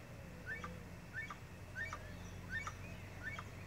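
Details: Crested Guan in Arenal Springs, Costa Rica, giving short, rising, yelping notes about every two-thirds of a second, fairly faint over a steady low hum.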